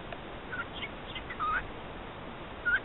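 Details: A male cockatiel repeats words learnt around the house, including "E = MC squared", in soft, whistly, speech-like phrases.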